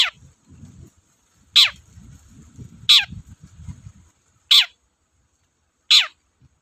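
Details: Long-tailed shrike giving harsh, grating notes that slide downward, about every one and a half seconds, on a lure recording to make reluctant shrikes sing; low rumbling noise runs under the first calls.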